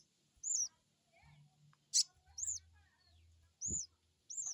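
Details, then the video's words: Crested jay crecet calling, played as a lure for an untrained bird: four bright, arched high whistled chirps spaced about a second apart, with a sharp click, a low thud and a faint low hum. "Crecet crecet,,pancingan burung sogon bahan"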